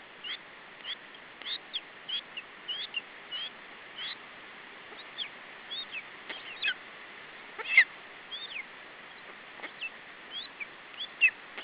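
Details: Lesser spotted eagle nest in Estonia, July 2012, with the chick protecting its food from an adult: many short, high whistled notes scattered unevenly, mostly soft, with a few louder squeals and occasional clicks.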